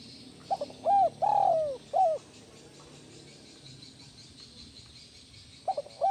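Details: Spotted dove, captive, cooing in a recording meant to calm stressed doves: a few soft arched coo notes grouped near the start, one longer drawn coo in the middle, then quiet before two more short coos at the end.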